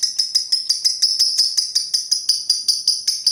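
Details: Lovebird with pastel green plumage giving its long ngekek trill: a rapid, steady run of sharp, high, ringing clicks, close to nine per second, bright and metallic, with no other sounds.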